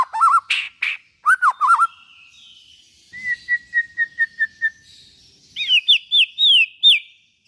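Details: White-rumped shama singing, used to prompt other shamas into song: wavering whistles and rough bursts, a drawn-out faint note, a steady series of short even notes, then loud down-slurred whistles.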